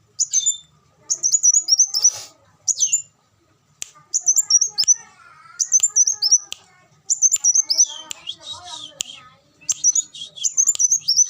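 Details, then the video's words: Van Hasselt's sunbird singing: short, high, thin twittering phrases that trill and warble, repeated with brief pauses between them. Faint lower chirps sound in the background. "suara burung kolibri wulung"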